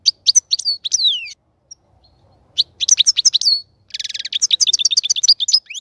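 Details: Caged European goldfinch, cage being prepared for mating, gives sliding chirps, a short pause, then a quick burst of twitters and a dense buzzy trill mixed with bright notes.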